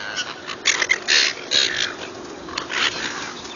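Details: Seagulls calling while being fed: short harsh squawks in scattered bursts, several birds overlapping, with quieter gaps between outbursts.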